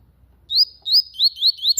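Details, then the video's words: Yellow-bellied seedeater in lively song, a quick run of about six high, upward-slurred whistles, each rising sharply and repeated roughly every quarter second, ending in a brief click. "Papa-capim cantando muito"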